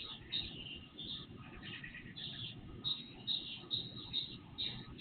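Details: Birds heard before sunrise via an IP surveillance camera: short, high chirps repeated at a regular pace of about two per second, accompanied by fainter twittering and constant low background noise.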